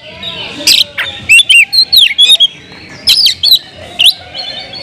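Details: Oriental magpie-robin, a caged songbird, singing aggressively to set off other magpie-robins: a scratchy burst followed by sweet slurred whistles and quick upsweeping notes in short clustered phrases.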